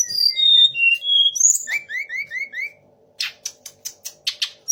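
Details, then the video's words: Sunda laughingthrush imitating magpie robin, shama and orange-headed thrush. Clear whistled notes, then a series of short rising slurs, a brief gap and a string of sharp, evenly spaced clicks. "TLEDEKAN GUNUNG DENGAN TIGA RASA BURUNG"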